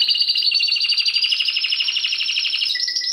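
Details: Timbrado canary delivering a long, rapid rolling trill that rises slightly in pitch, ending with a short clear whistle.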